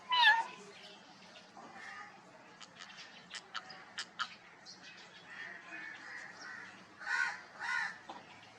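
A rose-ringed parakeet gives two drawn-out, cat-like meows, one at the start and one near the end, with sharp clicks and soft chatter between them.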